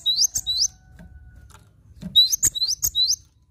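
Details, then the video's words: Cinereous tit singing actively, masteran style: two phrases of rapid upward-sliding whistles tipped with sharp high clicks, separated by over a second of faint hum with a thin steady tone in the background. "Masteran Gelatik Batu Gacor Mantap"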